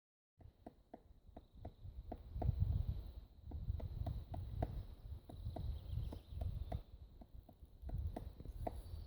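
Magellanic woodpecker tapping on wood: a run of sharp, dry knocks, about three or four a second and unevenly spaced, over low rumbling background noise.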